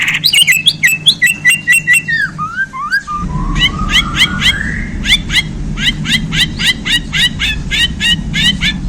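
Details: Freshly handled caged white-rumped shama from Borneo gives a fast string of chattering notes, a smooth upward whistled glide, then steady rapid repeated chips with faint background noise.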